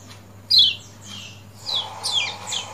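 Lemon-bellied white-eye giving high, thin descending chirps in short bursts, about four phrases in under three seconds, over a faint low hum.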